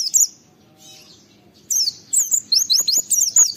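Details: Brief Oriental white-eye song bout, a lure to stimulate other white-eyes to call back: a single high chirp, a short hush, then a quick string of thin, piercing downslurred twitters.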